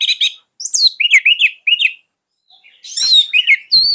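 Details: Orange-headed thrush song, used to encourage silent thrushes to sing: quick buzzy whistles in short groups, then a brief pause and a burst of bright, rising and falling high notes.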